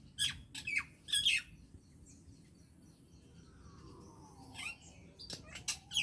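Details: Acridotheres tristis song: three loud chirping, squawky bursts open the clip, then a near-silent gap with a soft sliding tone, followed by more harsh chirps toward the end.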